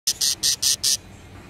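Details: Budgerigar nesting on eggs with one hatched chick; five quick, raspy, hissing chirps in a steady, rapid series.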